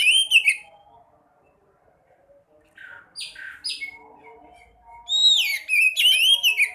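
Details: Sekoci, the white-breasted woodswallow, in a recording meant to trigger singing in silent birds: an opening harsh burst, then short scratchy buzzy notes, building to loud, wavering, descending squeaky chatter.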